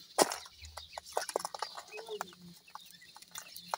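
Partridge chicks give rapid, short chipping peeps, a dozen or more scattered irregularly over a few seconds, with a faint low hum underneath.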